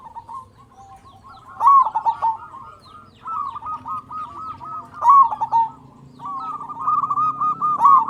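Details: Local zebra dove used as a lure to make other doves call: three loud, staccato cooing phrases, each ending in trilled notes, with steady softer cooing filling the gaps.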